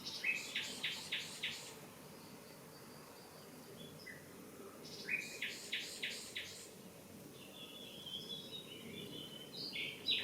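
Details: Common nightingale singing in a garden: two bursts of loud, rapidly repeated staccato notes separated by quieter pauses, then softer high twittering phrases, with faint insect-like background hiss.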